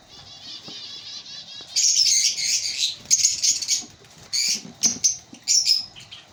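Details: A colony of breeding African lovebirds: a soft warbling twitter gives way to loud, continuous, shrill chattering, then several short, piercing squeaks in quick succession.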